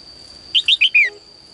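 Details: Caged female bird's morning song, calling males to sing more: a single quick phrase of four bright chirps, the last one longer and sliding down, over a steady high whine.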